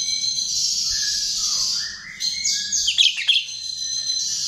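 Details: Chestnut-tailed starling lure song: a continuous high shrill whistle with lower sliding notes beneath, breaking into a cluster of quick sharp chips and squeaks before the whistle resumes.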